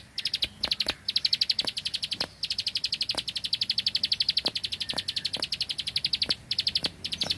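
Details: Rice-field bar-winged prinia in rapid 'bren' song: a near-continuous stream of extremely fast high clicking notes, broken by brief pauses and a few louder separate ticks.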